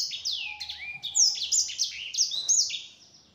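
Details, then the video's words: Yellow-fronted canary, its song used to provoke other canaries to respond: high chirps and curved whistles in quick succession, with a faint steady lower whistle underneath. "Suara Burung Sanger Ampuh Untuk Pancingan, Bikin Sanger Lain Nyaut."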